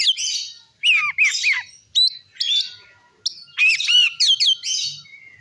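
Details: Harsh, squawking Oriental magpie-robin phrases meant to provoke other magpie-robins, sharp downslurred notes in groups with short pauses between bursts.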